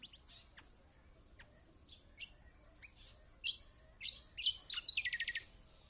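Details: Kecial kombok, a songbird kept by bird fanciers and played to coax a silent bird into song: scattered high chirps, then a loud burst of sharp notes ending in a rapid, even, high-pitched trill.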